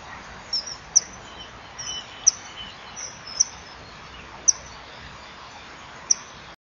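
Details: Male and female common kingfishers chipping at each other at the nest wall, 08:06, 25 March 2016, before the male approaches to mate but hesitates: sharp, shrill high whistles about every second, softer chips between, steady background hiss.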